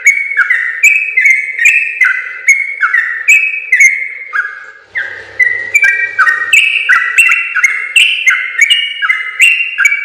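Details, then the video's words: Trucukan, or sooty-headed bulbul, singing nonstop in the long gacor ropel style used to train other birds. Bright whistled notes rise and fall in quick succession, with a brief rougher patch midway. "suara burung trucukan gacor ropel panjang terbaik"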